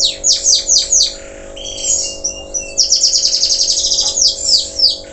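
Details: Local canary in song after moulting: quick downward-swept notes, a brief lower whistled phrase, then rapid repeated high notes and more sweeps, over a constant low hum.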